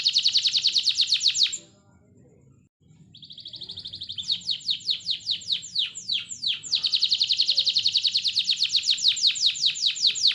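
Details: Canary song used as a lure to prompt other canaries to sing: fast trains of high, rapidly repeated notes, a short pause, then buzzy and sweeping trills building into a long rolling run of repeated syllables.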